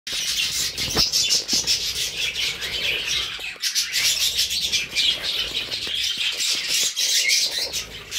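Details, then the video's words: Budgerigars, kept alongside cockatiels, giving a dense, continuous chatter of buzzy, scratchy high notes with short squeaks, several birds overlapping with no pause throughout. "budgies song"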